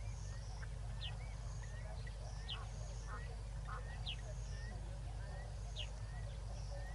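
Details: White-faced whistling ducks with four ducklings at Tau Waterhole, 28 February 2022 at 6 PM, from a live camera: short high whistled notes repeated about twice a second, with softer rising whistles, over a steady low rumbling hum.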